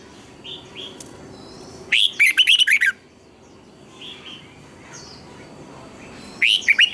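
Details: Red-whiskered bulbul song meant for training birds: two loud bursts of rapid, rolling whistled notes about four seconds apart, with softer scattered whistles between them.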